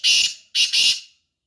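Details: Black francolin in the morning giving loud, harsh, rasping notes: one burst, a short gap, then a doubled pair, with nothing else audible.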